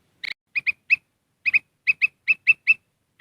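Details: Lure recording of black-crested bulbul meant to call wild birds close: crisp paired chirps, each note clipped and bright, repeated roughly every quarter second after an opening rapid triple note.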